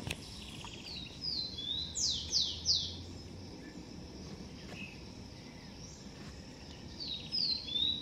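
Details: A blond-crested woodpecker near its nest in a garden gives a quick burst of three loud, steeply falling notes. Softer descending notes follow, and another short series comes near the end. Quiet outdoor hiss underneath.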